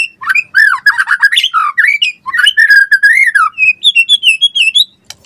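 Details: Energetic White-rumped shama song, used as a tutor and lure recording: tumbling series of warbled whistles and harsh chatter, then smooth repeated whistled notes rising slightly at the end.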